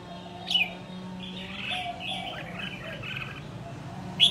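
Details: A young red-whiskered bulbul, said to be ready to compete after a year, gives a sharp chirp, then bright, jumbled warbling phrases, ending with another sharp chirp over a low steady hum.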